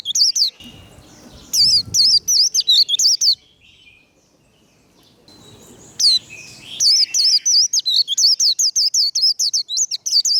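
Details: Warbling white-eye in 'khuyên líu' fighting song, meant to stir rival white-eyes: high, shrill, looping whistled notes in quick succession, a burst, a pause of a few seconds, then a longer, denser run of rapid twitters.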